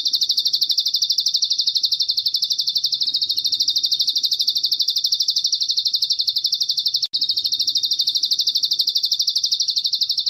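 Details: A bar-winged prinia (mountain ciblek) sings a shrill, continuous high trill of fast ticking notes, pulsing about three times a second, with one brief break midway; used as tutor song.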